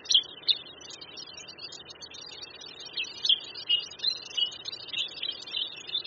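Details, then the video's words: A white-headed Black Bulbul near West Lake, Hangzhou, Zhejiang, China, gives short, bright chirping notes at an uneven pace, about three a second, over a soft background hiss. "Black Bulbul Song"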